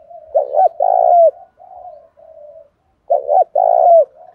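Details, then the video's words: Decoy spotted dove giving a thổ-style coo mixed with urgent thúc phrasing to draw wild birds into calling back. Two low phrases, each a clipped double note followed by a sustained falling coo, with faint soft cooing in the pause. "cu gáy giọng thổ pha thúc rút đấu, giúp bổi nghe gáy theo"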